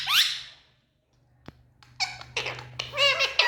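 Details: A single rising squeal from happy Indian ringneck parakeets indoors, a pause with one sharp click, then buzzy, chattering squawks over a faint room hum.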